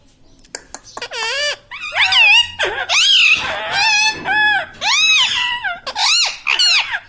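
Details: Talking pet parrot, known for saying "mitthu" and "mummy", delivering a loud, nearly continuous run of nasal, wavering, arched syllables, roughly one per second, in a small room.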